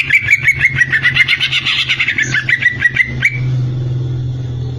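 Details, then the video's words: Greater green leafbird giving a rapid series of about twenty sharp repeated notes for roughly three seconds over a steady low hum. "burung cucak ijo"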